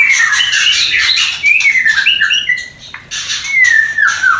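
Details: Mating call of a White-rumped shama in a new, not yet producing pair, to stimulate breeding desire: scratchy chatter followed by clear, drawn-out whistles that rise and then fall, separated by a short pause.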